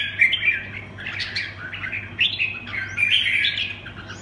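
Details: Song of a red-whiskered bulbul in the 'quảng lân bướm' manner: short, squeaky, rolling warbles in quick succession, slightly harsh, with a faint low steady hum.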